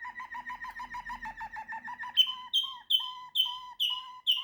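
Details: Waterslager canary song opening with a rapid, rattling series of short low notes, then shifting to slower, louder, ringing notes repeated about every half second.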